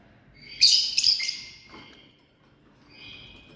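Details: Family group of lovebirds giving a quick cluster of shrill, piercing chirps, three or four close together, then quieter thin twittering after a short pause.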